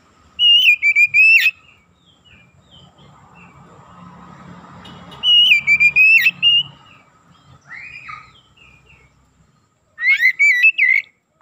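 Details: Oriental magpie-robin song played to raise another bird's excitement: three bright phrases of choppy whistled notes with sharp upswept ends, roughly five seconds apart, with a soft hiss and faint low murmur between them.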